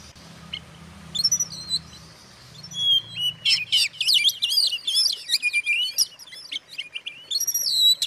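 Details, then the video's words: White-rumped shama song used to stir up other shamas: after a quiet start with a few thin whistles over a low hum, a loud burst of sweeping whistles, sharp clicks and rapid varied phrases follows. "suara kacer buat pancingan kacer lain emosi"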